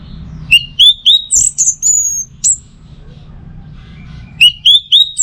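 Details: Orange-headed thrush in teler song style: loud, clear whistled notes, some rising and some slurred downward, delivered in quick series, with one long drawn whistle and a quiet pause before another rapid run of notes.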